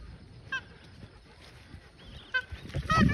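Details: An angry magpie goose attacking a dog gives three brief, nasal honks, the last loudest and closest, over low rumbling and scuffling noise.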